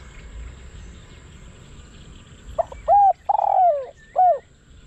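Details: Captive decoy spotted dove used for luring wild doves. Near the end there is one phrase: a quick note, a rounded coo, a long falling rasping croo, and a closing short coo. Faint background hiss.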